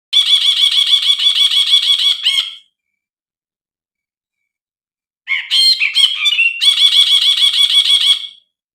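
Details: Brinji bulbul, used as a master recording and lure to get silent young birds singing: bursts of rapid, harsh, buzzy notes repeated about three times a second, ending abruptly, with a varied twittering phrase after a pause.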